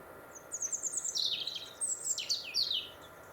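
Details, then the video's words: European robin singing in winter in Warwickshire, England, along the Monarch's Way: a quick run of thin, high, sliding notes, then a second jumbled warbling phrase dropping in pitch, over a faint steady background hum. "British Winter Robin Birdsong"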